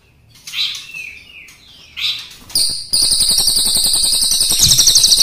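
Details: Crested jay, black and brown types heard together, opening with scattered scratchy downslurred notes, then breaking into a loud sustained rolling rattle of rapid high pulses lasting over two seconds.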